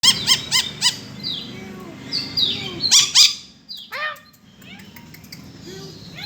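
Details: Lory giving shrill, harsh screeches said to sound like a kuntilanak ghost: a quick run of four rasping notes, then scattered slurred squawks and rougher cries with a low background hum.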